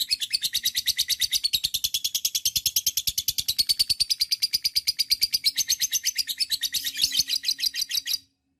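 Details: Lovebird long chatter (ngekek panjang) used as a training recording to prompt other lovebirds to call: continuous rapid shrill high-pitched chattering, about three notes per second, sustained for eight seconds before stopping abruptly.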